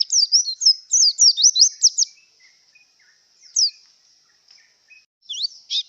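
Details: High, rapid twittering from a white-eye in breeding condition: a dense burst of swooping chirps over two seconds, then a quiet spell with a single sweeping note and a few final chirps.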